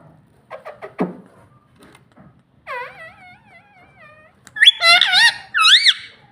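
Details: Pet ringneck parrot talking, imitating the word "mummy": a few short clicky notes, then a steady harmonic tone, then loud wavering two-part vocal phrases rising and falling, indoors in a small room.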